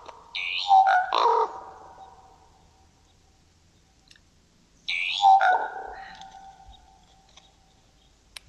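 Common Raven giving two hoarse, gurgling croaks about four and a half seconds apart, each lasting around a second, with quiet background between.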